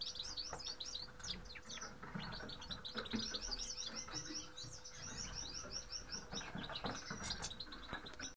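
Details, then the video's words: Grey-headed goldfinches (Carduelis caniceps) chattering in a long run of quick, evenly spaced high twitters and chirps from multiple birds, with soft low rumble and hum beneath. "Grey-headed Goldfinch. Седоголовые щеглы"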